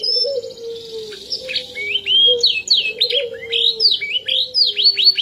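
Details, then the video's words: A canary that no longer sings its original song gives a rapid run of high, sweeping, slurred notes, rising and falling in quick succession. Drawn-out low whistles sound softly in the background. "KENARI lupa suara aslinya."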